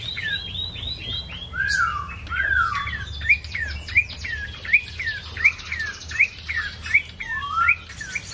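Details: Ashy tailorbird in energetic song, giving loud, sharp upslurred chirps repeated more than once a second in a steady run, with a few longer downslurred whistles mixed in above a faint low hum.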